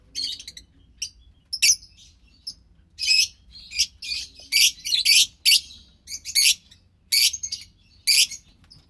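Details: Rasping, hissy chirps from two young lovebirds, offspring of a white pastel violet and a pastel mauve pair, recorded March 3, 2021. Short separate bursts come roughly every half second to second, and some are noticeably louder than others.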